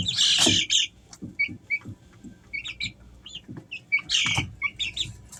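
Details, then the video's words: Easter Egger chicks, three weeks old, kept at home: high, short peeps scattered through the clip, with a loud burst of overlapping cheeps at the start and again near the end, over soft low thumps and rustling. "Sounds of baby chicks"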